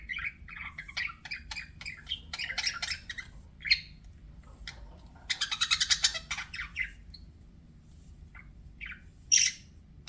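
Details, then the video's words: Budgerigar chatter: rapid warbling chirps and squeaks in the first seconds, then a dense buzzy rattling burst, scattered softer chirps, and one sharp squeak near the end. "BUDGIE SOUNDS"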